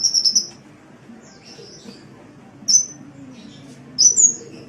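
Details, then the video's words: Sunbird song on a training recording: a quick cluster of piercing high notes, a long quiet pause, then single sharp whistled chirps with rising and falling twists. "Masteran Suara Kolibri"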